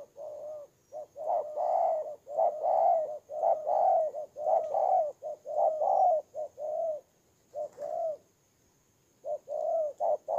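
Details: Cooing of a spotted dove decoy bird from Tumorong, Kon Tum, Vietnam, September 2018: a long, near-continuous run of soft hollow coos, short notes alternating with longer drawn ones, broken by one brief pause.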